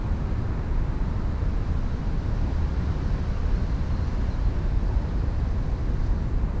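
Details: Steady, dense low roar like a train or aircraft passing persists throughout, with no animal voices standing out.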